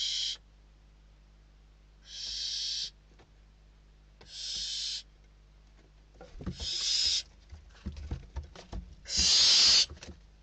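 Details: In a Spanish nest, hungry barn owl chicks struggle over a delivered bird, December 2023. Spaced hissing screeches, then scrabbling and knocking scuffles around the final, loudest rasping calls.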